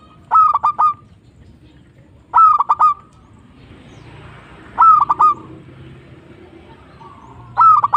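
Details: Zebra dove, a local bird, repeating short phrases of three or four quick coos roughly every two and a half seconds, with faint background noise between.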